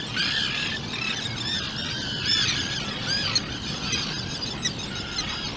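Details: Thin, high squealing peeps from a two-day-old Atlantic puffin chick in its burrow on Seal Island, overlapping and nearly continuous, with a steady background hiss and occasional louder squawks.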